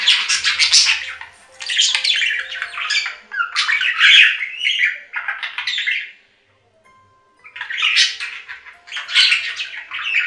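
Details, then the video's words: Budgerigar chatter in a series of loud, grating squawk-and-chirp bursts, each lasting about a second, with a clear silent pause of roughly a second before the scratchy phrases return. "3 Hour Budgie Sounds for Lonely Budgies"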